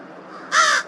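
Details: Unusual sound from a crow at Twin Lakes, March 18th, 2023: a single loud, harsh, raspy caw lasting about a third of a second, rising abruptly out of quiet background hiss.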